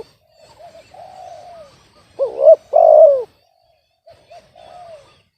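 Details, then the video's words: Spotted dove described as off-key. Soft, long coos are heard at a distance, then one loud close phrase of stutter, hooked coo and grainy falling coo, followed by more faint coos. "TARGET SUARA BESAR MALAH DAPAT BL SUARA SUMBANG"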